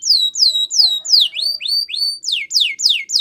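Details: Canary song for training: clear, loud falling whistles repeated roughly three per second, then a few level rising notes and more descending sweeps, in a quiet setting.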